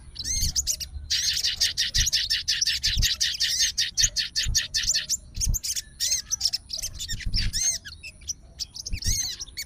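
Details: Caged fighter sooty-headed bulbul, emotional and challenging a rival after hearing another bird sing. It produces a steady quick series of high chattering notes, then spaced looping whistles and sharp chips.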